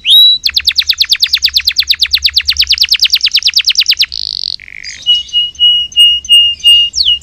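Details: Canary song used as sound therapy to provoke caged canaries that are reluctant to sing; a loud, rapid trill of about thirty clipped notes gives way to a buzzy note, a lower whistle and a long level whistled tone.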